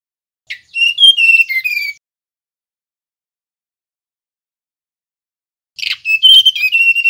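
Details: Male mangrove blue flycatcher whistling its clear song in the style called nyiul: two separate phrases, each opening with a brief stutter and then sliding into pure, stepped whistles, with a long silent gap between. No other sounds.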